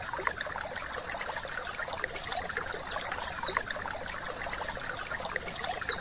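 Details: A female white-eye gives thin, high, quickly falling notes in small bursts every second or two, over a steady rush of flowing water.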